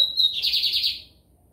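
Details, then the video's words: Lined seedeater singing in the 'americano' song style, recorded at São Luís, Maranhão, Brazil: one sharp, high whistled note, then a fast buzzy trill. The trill holds a steady pitch for under a second and then fades. "BIGODINHO AMERICANO / 15 MINUTOS SÓ DE CANTO"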